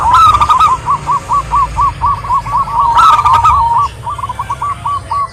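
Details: Local zebra dove, a female calling a male: rapid runs of short, clipped cooing notes, about four per second, with a second dove's series overlapping midway and a steady low hum beneath.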